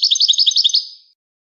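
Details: European goldfinch delivering a brief phrase of rapid, sweet, high chirps repeated in a steady pulse, then a fading ring.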